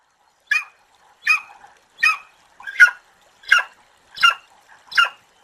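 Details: Eagle calling: seven short, harsh, chattering notes spaced evenly about two-thirds of a second apart, each a brief rasping burst, with a quiet background.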